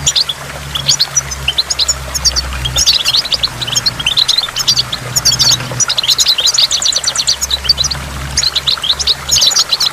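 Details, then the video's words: Goldfinch singing by a waterfall with water drops: dense, rapid high twittering and tinkling chirps in quick bursts throughout, over a steady low hum and a constant wash of falling water. "in the waterfall stimulates goldfinch and water drops"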